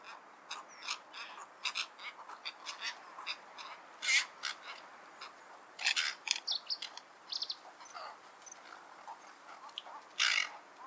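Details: Cattle egret, called Bagula locally, in a dense stretch of harsh, scratchy calls and clipped croaks, repeated in irregular bursts, with several louder raspy notes standing out over the chatter.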